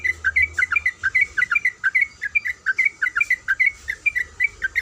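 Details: A female sooty-headed bulbul in breeding condition calls to a male with a fast, even chatter of mellow two-note chirps, about four a second, over a faint constant high tone.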